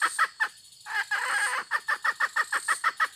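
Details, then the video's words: Hen calling: a few quick clucks, a brief pause, then a drawn-out rough note lasting about half a second, followed by a steady run of short repeated clucks, about three per second, over faint high hiss. "suab poj qaib tsauj seev dib tuaj zoo tshaj"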